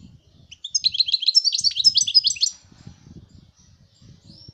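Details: European goldfinch singing, 2019: a single dense run of high, tinkling, chattering notes lasting about two seconds over a steady low rumbling and knocking background.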